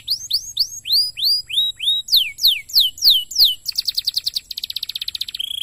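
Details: Canary song meant to set other canaries singing: a series of falling whistled slurs, then louder sweeping notes, breaking into rapid rolling trills and a final buzzy fast rattle.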